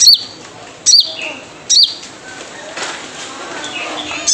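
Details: Wild sunbird call used as a lure: three sharp, very high chip notes, each a quick down-slurred squeak, about 0.8 seconds apart, then quieter hiss and a final chip.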